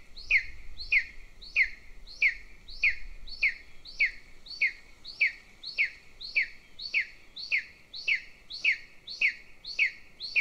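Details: Golden eagle chick begging at a nest near the Central Training Field in Northern Estonia while the female feeds its elder sibling. Recorded on a nest camera. Steady series of high, downslurred chirps, about two per second, with faint low rumble beneath.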